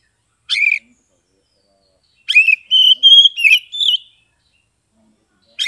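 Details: Ngeplong song of a caged Oriental magpie-robin in Kebumen, Central Java, played to get mute birds singing: a single chirp, then a long, clear, whistled phrase that wavers and rises, with several linked notes, followed after a pause by another chirp.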